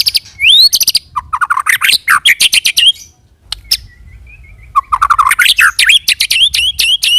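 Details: White-rumped shama singing a roll tembak song used as a lure to make other shamas sing: loud, rich rising whistles and rapid sharp chattering notes in quick bursts, with a brief quieter pause midway.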